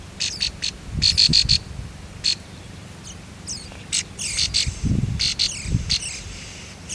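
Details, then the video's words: Nestlings begging as a parent bird feeds them on the nest: rapid bursts of high, harsh, scratchy chirps in clusters of three to five, with low rustling thumps and steady background hiss. "Momy bird feed food to babies bird on nest"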